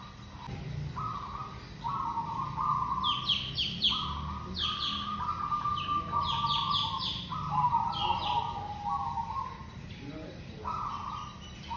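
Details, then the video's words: Local perkutut, the zebra dove, played as a lure, giving repeated rolling coos, while other small birds add bursts of high chirps and a low hum runs throughout. "Perkutut lokal GACOR super pemikat AMPUH"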